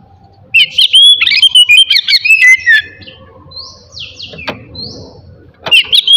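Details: Oriental magpie-robin in morning song intended to provoke others of its kind. A fast string of clear rising whistles and chips runs for about two seconds, then a quieter stretch with faint buzzy notes before song resumes.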